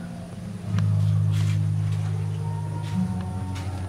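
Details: A steady low engine drone swells after the first second and holds, with faint knocks and no animal calls.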